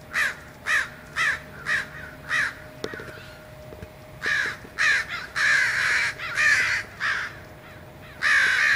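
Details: American crows congregating in a Fresno, California neighbourhood in early January around an ironbark eucalyptus; a quick run of short, evenly spaced caws, a brief pause, then longer, rasping, overlapping caws from several birds, over a low steady hum.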